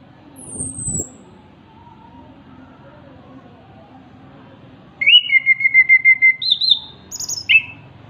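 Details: Orange-headed thrush (anis kembang, punglor kepala merah) in active, melodious song. After a thump and a long quiet stretch, it gives a fast run of repeated whistled notes, then higher sharp whistles and a final slurred note.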